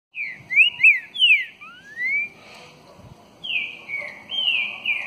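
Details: Green-winged saltator, a true trinca-ferro, singing loud clear whistled phrases: slurred notes sweeping down then up, a long rising whistle, then after a short pause a second run of sustained, gently falling whistles.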